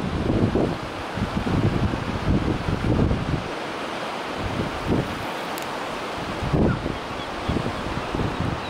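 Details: Strong wind buffets the microphone over rolling surf, with low gusty roars rising and falling and no animal calls.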